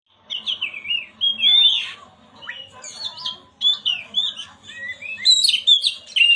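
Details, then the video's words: Oriental magpie-robin song used to stir a silent bird into singing: varied whistled phrases, rising and falling slurs and sharp chirps, delivered in bursts separated by short pauses. "Pancingan burung Kacer yang macet bunyi"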